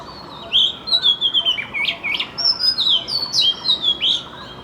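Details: Morning song of a Magpie-robin, a lively series of clear whistles, rising slurs and quick chirps delivered in rapid bursts about every half second, melodious and varied throughout.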